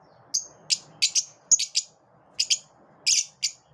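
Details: Lovebirds kept together, driving each other off with short, sharp, high chirps, some in quick pairs, spaced irregularly over a few seconds.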